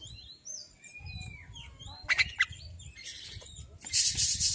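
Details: Male Oriental magpie-robin, a recording used to provoke other birds into song: soft sliding whistles at first, then sharp clicking bursts and harsh broadband rustling noise that cover the later part.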